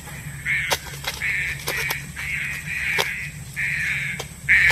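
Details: Trapping-lure call of a green pigeon: repeated grating, level-pitched notes roughly every half second to a second, with brief clicking sounds between them and a steady low hum beneath.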